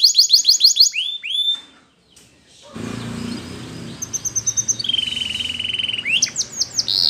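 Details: Belgian canary's rapid repeated notes and slurred whistles, broken by a short silence and a patch of noisy background, after which a buzzy trill and sharp swoops return.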